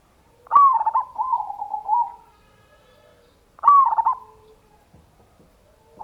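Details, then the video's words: Zebra dove song played to provoke rival doves: two low cooing phrases, each opening with a bright stuttered note and falling into a rolling trill, about three seconds apart. "PANCINGAN NO.1 100 %AMPUH (LANGSUNGRESPON) CEPAT Nyaut"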